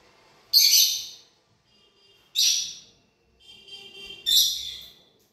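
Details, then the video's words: A lorikeet gives three harsh, high screeches about two seconds apart, each under a second long, with softer chatter between the last two. "Lorikeet parrot sounds"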